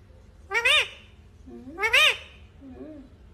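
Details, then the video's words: Talking pet parrot said to speak the words "mummy papa": two loud arching, harmonic voiced syllables about a second and a half apart, followed by a quieter low rising note. "Mummy Papa Bolne Wala Tota Mithu"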